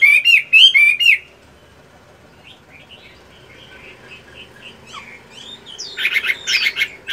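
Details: Morning voice practice by a moulting caged Chinese hwamei kept for fighting: a loud burst of whistled notes, then near silence with faint distant phrases, and finally harsh buzzy bursts.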